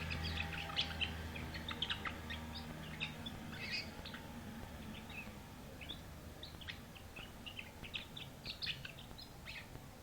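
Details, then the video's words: Canary song as a run of thin, high chirps and brief warbled notes, closely spaced at first, then sparser, with low background hum throughout. "تغريد الكناري 'canary singing'"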